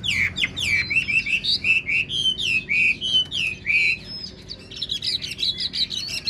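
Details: Wild-caught old Chinese hwamei, a caged bird praised for its excellent voice, singing loud clear whistled phrases, many slurred and rising, repeated in a rapid varied stream almost twice a second.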